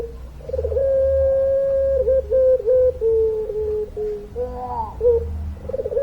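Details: Puter pelung dove, a long-voiced singing dove, gives long sustained coos: steady, level, mid-pitched tones with clear overtones, broken by short dips and wavering notes, then a fresh coo at the end.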